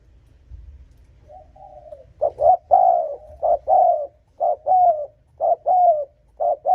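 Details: Spotted dove cooing to provoke and lure rival males: after a soft opening note, low mellow coos come in rhythmic groups of two or three, repeating about once per second over a quiet background.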